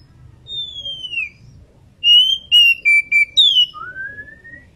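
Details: Female Oriental magpie-robin in breeding condition calling its companion: a long clear whistle sliding downward, then a quick run of five loud whistled notes at steady and slightly falling pitch, ending in a long rising whistle; faint low background hum.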